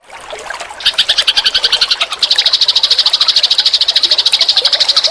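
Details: Eurasian tree sparrows, burung gereja, in a tutor recording for training cage birds: dense, rapid high chirps repeated about three times a second, building from a softer start into a steady, bright pulsing chatter.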